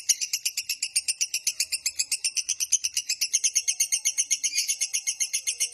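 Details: Lovebird giving a long ngekek trill, used as master sound to lure and train lovebirds: rapid harsh chattering notes, about four per second, high-pitched and steady throughout.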